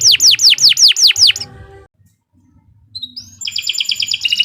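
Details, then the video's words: Singing canary, long 'gacor' style, meant as a master for other birds: six loud repeated downslurred whistles, a second of silence, then a thin rising note leading into a fast pulsing high trill. "Kicau Burung Kenari II GACOR PANJANG Cocok untuk Masteran"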